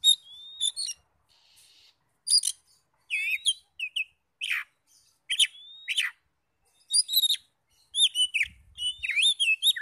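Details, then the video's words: Oriental magpie-robin (kacer) singing in a lure recording for provoking other magpie-robins: sharp chips, long thin upslurred whistles and short downslurred notes, spaced at first, becoming a fast continuous whistled warble near the end. "PANCINGAN NAIKAN EMOSI KACER 100% IKUT NYAUT NGEPLONG"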